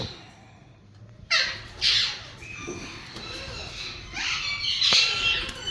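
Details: After a second of near silence, a yellow Indian ringneck parakeet from a breeding pair gives a few abrupt harsh squawks, then softer scratchy chatter builds to a louder rasping call.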